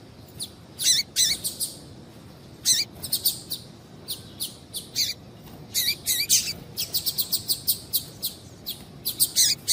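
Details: Female double-collared seedeater calling insistently to excite a male: a busy stream of high chirps and wavering squeaks, often in quick bursts, continuing throughout with short pauses.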